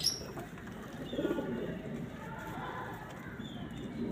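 A pigeon gives low, soft, throaty coos in slow murmuring phrases over a steady hiss of outdoor background noise.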